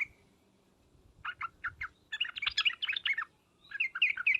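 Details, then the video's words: Calls of the sooty-headed bulbul, trucukan with 'ngriwek uplik uplik' phrases meant to prompt singing replies: a brief thin whistle, several spaced chirps, a dense tumbling chatter, then a quicker run of bright notes, over soft low background noise. "suara panggilan trucukan dan ngriwek uplik uplik ini menjadikan burung trucuk gacor nyaut seketika"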